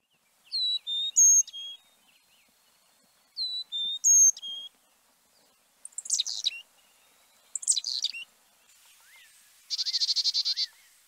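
Carolina Chickadee giving two runs of its high, clear whistled four-note song, then harsh, buzzy chick-a-dee-dee-dee alarm calls ending in a rapid dee series.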